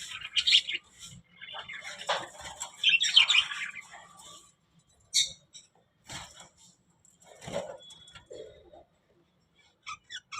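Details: Budgerigars making sparse chirps, short squawky notes and a few clear whistled tones, separated by quiet gaps; the sounds grow fainter and more scattered toward the end.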